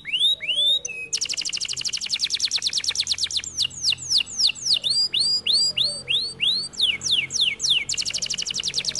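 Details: Canary singing a lively stream of rapid buzzy trills that give way to repeated sharp swooping whistles and then another fast trill. There are no other clear sounds.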